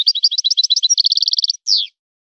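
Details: European goldfinch song in a breeder's style: varied high twitters that settle into an evenly spaced trill of identical notes, then a separate buzzy downward-sweeping note, with no background sound.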